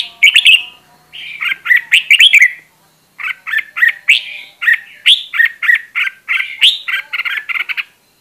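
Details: Red-whiskered bulbul decoy bird singing for voice training, a lively sequence of repeated warbling whistles in short runs separated by brief silences.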